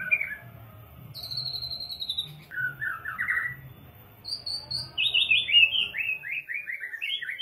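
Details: White-rumped shama song used as a masteran to stimulate birds to sing their full repertoire: chirpy rising phrases, a high thin whistle gliding down, then a rapid run of descending notes, over a faint low hum.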